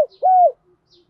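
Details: A single drawn-out spotted dove coo from a decoy bird calling wild doves in the morning, steady and mellow before dropping at the end, with faint soft notes around it.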